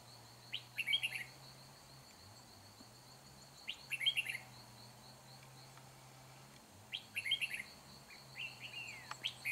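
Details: Red-whiskered bulbul used for fight-trapping, 4 April 2021, repeats a brisk, jaunty phrase of bright notes roughly every three seconds, over a shrill steady insect buzz and a low droning hum.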